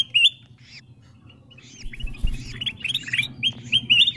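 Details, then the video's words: Lure recording of ruby-throated bulbuls meant to attract wild birds. A few sparse whistled notes give way to a dense run of bright rising chirps from several birds, with a low background rumble. "Suara pikat kutilang emas memanggil burung liar"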